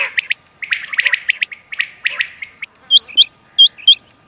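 A rain quail gives quick bursts of sharp, high chirps, then louder piercing double whistles repeated about once a second.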